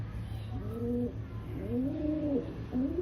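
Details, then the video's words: Rock pigeon, described as an Indian pigeon, cooing: low, soft arched coos that rise and fall, a short one followed by a longer drawn-out coo, over a steady low hum. "Rock Pigeon Sound"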